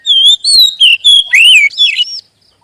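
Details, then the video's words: A loud magpie robin song used to draw out other magpie robins: several fluty whistles, then a rising-and-falling slur and buzzy, trilled notes. The phrase lasts just over two seconds before silence. "SUARA PANCINGAN BURUNG KACER AGAR CEPAT BUNYI DAN GACOR"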